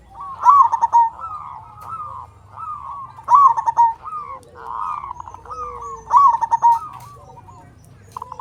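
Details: Strong-voiced local zebra dove from Indonesia in full song, kept as a lure to make other doves sing. A bright, quavering note opens each phrase, followed by a string of rapid, even coos, recurring about every three seconds.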